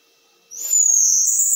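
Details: Bananaquit in metralhadora song style: silence broken by an abrupt start into a loud, very high, dense rattling trill that holds steady to the end.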